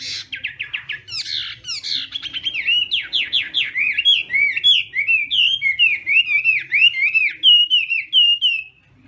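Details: Chinese hwamei in a singing contest during morning voice training, delivering a loud, fast, varied song of clear whistled notes and rapid trills, phrases sliding up and down, repeated about 87 times a minute with no other sounds.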